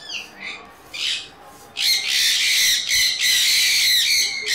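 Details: Sun conures, chirpy loud parakeets, start with faint, scattered squeaks, then break into a long, loud stretch of harsh, buzzy screeching with only tiny breaks.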